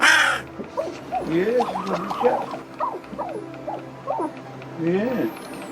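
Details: A rescued young crow, kept at home and with a throat injured by a cat, gives a string of short, bent, croaky notes and a longer quavering phrase, encouraged by a soft human voice, with a steady background hum.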